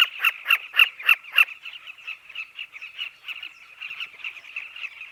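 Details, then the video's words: Southern carmine bee-eaters at a breeding colony of burrows in a dry riverbank in Africa: five loud, harsh chirps in quick succession open the recording, then a dense, steady chatter of many birds continues behind them. "The sounds of Carmine bee eaters at nest"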